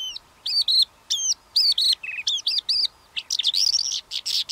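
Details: A Calandra lark pours out a fast, scratchy song of chirps and trills, with short bursts packed into a few seconds, including some mimicked notes, over a faint hum.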